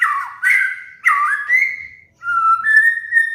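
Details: White-rumped shama (murai batu) master song used to train caged birds and prompt moulting birds to sing: smooth, sliding mid-pitched whistles in two connected phrases, then a short pause and level whistled notes that step upward.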